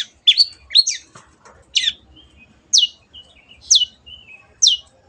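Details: Long-tailed shrike (cendet), lively singing, used as training audio for kept birds: sharp, harsh downslurred notes, some paired, repeated about once a second, with faint thin whistles between them.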